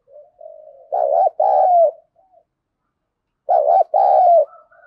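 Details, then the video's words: Spotted dove giving contest cooing in the thổ sấm voice style, meant to spur rivals to fight: a loud, mellow two-part coo, a short doubled note then a longer drawn note, given twice about 2.5 seconds apart, with faint soft coos between. "tiếng chim cu gáy thúc đấu vấy bổi nghe nhanh gáy và gấy ức chế cao"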